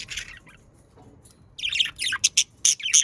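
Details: Australian parakeets chattering to spur pet budgerigars into song: a brief squawk, a quiet gap, then rapid scratchy chirps and sharp squeaks in quick succession.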